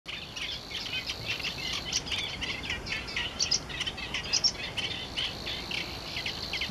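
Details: A Savi's warbler at Głębokie on 1 July 2015 reels in a long, even, high buzz without a break, with quick scratchy chirps and twitters from other small birds over it.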